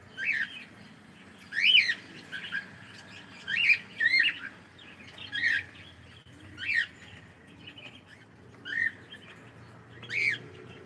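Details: Pet cockatiel, said to be saying good morning, gives short bright arched chirps, each rising then falling, repeated roughly every one to two seconds over a low indoor hum.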